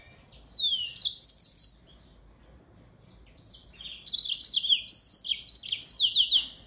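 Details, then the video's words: Yellow-fronted canary (Mozambique singing finch) singing two bright, high bursts of quick, repeated downslurred notes, each about a second long, separated by a brief pause. "Burung MOZAMBIK Gacor!!!"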